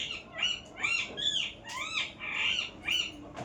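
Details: A parrot gives rapid, repeated screechy calls, about two per second, each a bright arched note with a rising and falling pitch, steady and fairly loud throughout.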